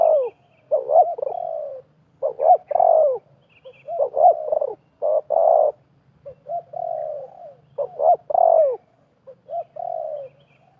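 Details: A wild spotted dove and a lure dove trade calls while snares are laid in a half circle. Repeated coo phrases come in bursts: quick paired notes, then drawn-out falling tones, with brief gaps between.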